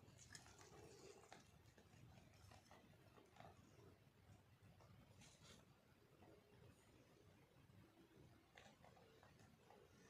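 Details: A male pet Alexandrine parakeet eating peas, green chilli and beef chunks, with soft, irregular crunching clicks and taps, a few faint low murmurs, and a quiet indoor hiss underneath.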